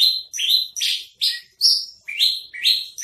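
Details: Caged spotted Javan bush lark from Tambun giving a tutor song: bright, slurred notes sweeping upward, some buzzy and broad, delivered about twice a second with brief gaps between them, and no other sounds.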